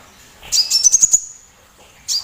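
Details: Single song phrase from a loud little sunbird used to provoke other songbirds: about six sharp, very high notes rising in quick succession, a ringing tail, then the start of another phrase.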